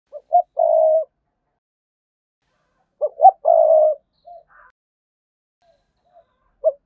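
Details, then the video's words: Spotted dove giving its thúc and calling coos to draw rival males to come fight: two low cooing phrases about two seconds apart, each a short lead note into a longer burred coo, then quiet with a faint single coo at the end. "chim cu gay thúc và gáy gọi bổi nghe và về cội đấu liền"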